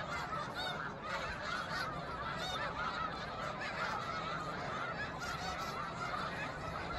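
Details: A large flock of snow geese on the shore of Cayuga Lake, Seneca Falls, New York, in March 2021 keeps up a continuous clamor of high, nasal, barking honks that overlap without pause.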